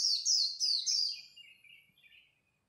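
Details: White-eye singing competitively at dawn, a rapid string of sharp, high slurred notes that trails off into lower, softer twittering.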